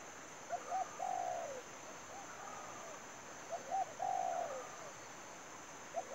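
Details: Spotted dove kept as a trapping lure, calling in spaced phrases of two short coos and a long falling coo, about every three seconds. Fainter cooing echoes between them, and a continuous high whine is heard.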